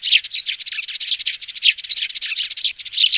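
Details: Young sparrows' lure chorus broadcast on a loudspeaker for trapping; rapid, shrill cheeps and twitters pour out continuously, with a brief dip near the end before the chirping resumes.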